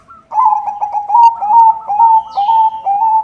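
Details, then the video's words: Singing white zebra dove, a vigorous singer with a good rhythm, kept as a lure for all kinds of zebra doves; continuous bubbling, rolling coos in quick pulses, loud and close with little background noise. "SUARA PERKUTUT PUTIH GACOR irama bagus, untuk pancingan semua jenis perkutut"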